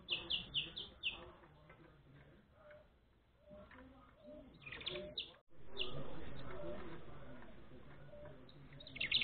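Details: Saffron finch (Sicalis flaveola) chick being fed, giving high, thin chirps in quick bursts at the start, midway and at the end, over low household rumble and faint voices.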